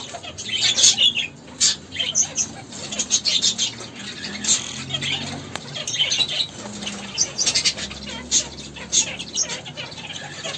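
A caique gives harsh, raspy squawks and chattering bursts in quick irregular clusters, with a faint low hum in the background.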